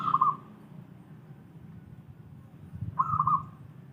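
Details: Wild local zebra dove: two short trilled cooing phrases of rapid, clipped notes, the second following about three seconds after the first, with a low background drone throughout.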